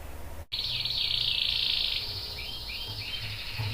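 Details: Canary song, ngerol style, with a young male answering, heard more faintly over background hiss: a sharp click, then a dense buzzy trill and a few short rising notes.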